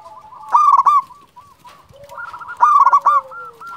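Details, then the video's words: Calling local zebra dove: two loud burry, trilled phrases separated by softer bubbling coos and a quiet descending note. "Perkutut lokal gacor Juara memanggil"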